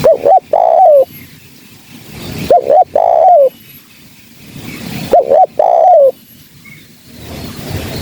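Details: Female spotted dove cooing, a call used as a trapping lure: three evenly spaced phrases, each a short doubled note then a drawn-out coo sliding downward, with background hiss between.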